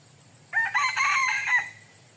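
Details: Crow of a red junglefowl rooster kept as a decoy for wild junglefowl, roughly one second long, with a rising start, a hoarse drawn-out central phrase and a fading tail, against near-silence.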